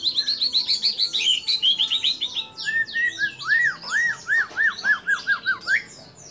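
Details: White-rumped shama song with borrowed calls of other birds: a high stuttering trill, then clear lower arched whistles repeated about twice a second, ending in an upward slur.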